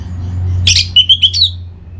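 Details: Orange-headed thrush, a kept contest bird in breeding condition from North Bali, Singaraja, calling a rival: a buzzy burst, then three high whistled notes and a falling whistled phrase over a steady low hum.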